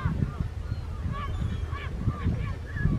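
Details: Second-calendar-year Mediterranean gull on Vlieland, the Netherlands, 24 August 2024: a run of short nasal, arched calls with clear harmonics, several in quick succession, over strong low rumbling wind noise.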